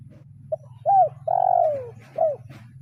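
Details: Spotted dove decoy bird of the kuk 0-1 style calling a rival with one full coo phrase: a short note, an arched coo, a long downward-sliding coo and a closing arched note, against a low droning hum.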